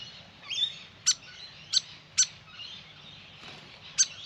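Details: Grey fantail at a backyard birdbath giving four or five sharp, high chips at uneven intervals, with faint chattering and a thin whistle from other birds behind.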